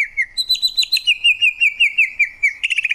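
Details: Greater green leafbird (cucak ijo) gives a steady trill of looping whistled notes, about five per second at an even pitch, ending in a scratchier flourish.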